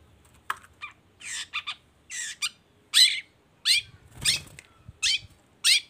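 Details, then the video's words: Long-tailed shrike (cendet baham) lure song for prompting other shrikes: harsh, grating rasps and scratchy notes at irregular intervals, with a faint low rumble in the background. "CENDET GACOR❗PANCINGAN CENDET BAHAM EFEKTIF BUNYI SANGAT COCOK BUAT CENDET LAINYA AGAR IKUTAN BUNYI"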